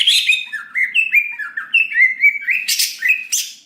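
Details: Greater green leafbird song played as a provocation to spur an emotional reply: a rapid string of short whistled notes stepping up and down in pitch, broken by loud harsh bursts near the end.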